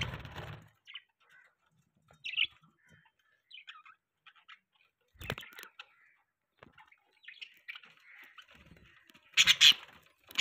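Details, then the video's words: Pet budgerigars chirping: short scattered chirps and warbling notes, some rising and falling, separated by quiet gaps, ending in a louder burst of harsh chatter, with faint rustling and a brief low thump at the start. "Budgies Chirping Sounds | Budgie Beautiful Voice"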